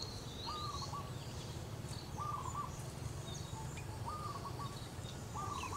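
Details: Local female zebra dove calling for its partner with manggung cooing: four short, stuttering trilled coos spaced about 1.5 seconds apart, over a steady low rumble, with thin high chirps from other birds.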